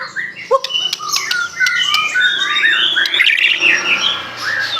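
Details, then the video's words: White-rumped shama of the Aceh variety delivering a dense, varied song rich in mimicked phrases; rapid chattering notes and sliding whistles tumble over each other, with sharp clicking ticks in the background. "murai batu aceh,isian mewah gaya mantap"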